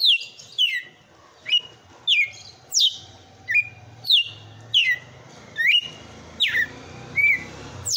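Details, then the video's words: Strong açoite song from a kept red-cowled cardinal: a rapid run of about eleven loud whistled notes, each swooping down or up then levelling, spaced under a second apart, with soft low rumble behind. "TOME ESSE AÇOITE DE COM FORÇA DO MEU GALO DE CAMPINA"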